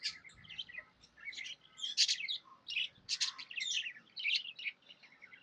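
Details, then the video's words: A pet budgie, described as happy, chatters in scratchy, high warbled bursts, with louder squawky notes around the middle and faint low background rumble. "Happy budgie chirping sounds"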